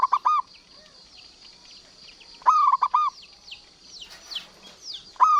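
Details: Zebra dove, local type, singing clipped stuttering coos roughly every two and a half seconds; a brief hissy rustle sounds between phrases, with thin high chirping throughout.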